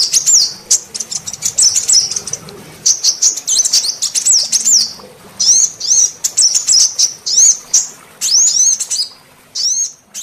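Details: Sunbird female call meant to entice males: long stretch of sharp, high, chattering twitters in quick bursts, with clear upslurred and downslurred whistles recurring every second or so.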